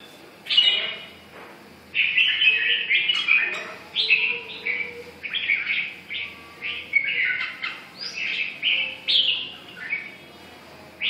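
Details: Red-whiskered bulbul singing a run of short, bright warbled phrases, each about half a second long, separated by brief pauses. The phrases come in quick succession over about ten seconds, with faint low background noise.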